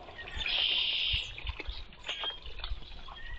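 A red-winged blackbird gives a harsh, buzzy trill lasting under a second, followed by scattered short chips, with a faint trickle of water and low thumps behind.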